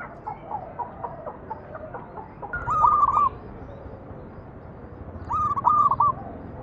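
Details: Zebra dove manggung song meant to prompt other doves to sing; after faint background chatter, two clear phrases of fast stuttered cooing notes, each under a second, about two and a half seconds apart.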